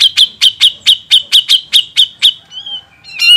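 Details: Grey-cheeked bulbul on a songbird training master gives a rapid, even string of about eleven sharp chirps, roughly four per second, followed by a thin drawn-out whistle and a loud final note.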